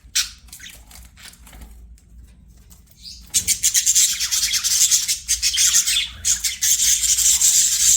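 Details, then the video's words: Budgerigars singing while playing: faint scattered chirps at first, then from about three seconds a loud, dense run of rapid buzzy, scratchy chatter with sharp high notes that continues to the end. "BUDGIES SINGING PLAYING"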